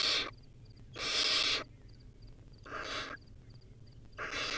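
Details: Young wild barn owl eating a rodent in its nest, uttering broad rasping hiss-screeches of uneven length, with short high chirps in the gaps.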